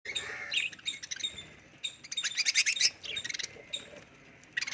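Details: Budgerigars eating from a mineral block chatter in quick, scratchy, high chirps and warbles with short bursts of noisy squeaks.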